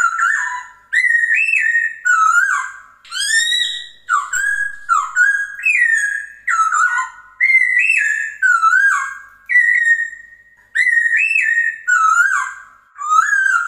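A Chinese hwamei sings a loud, rich run of varied whistled phrases, slurring up and down, repeated with barely a pause. No other sounds are heard.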